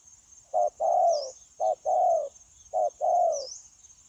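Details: Recently trapped wild spotted dove, recorded 9 January 2024. It gives three clear phrases, each a short note then a long, low, downward-sliding coo, spaced about a second apart. A steady high hum persists.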